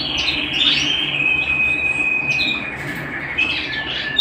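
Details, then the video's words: Domestic canary song indoors: a long, steady high trilled tone holding for several seconds, broken by sharp upward chirps near the start and end, with a faint background hum. "canary bird - canary singing - canary sounds - canary singing at home"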